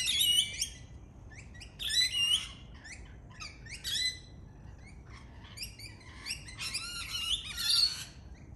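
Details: Lorikeet, a native Australian parrot, giving harsh, raucous screeches in rapid bursts of rasping, harmonic-rich notes, loudest at the start, near two seconds and near eight seconds, with short gaps between the bursts.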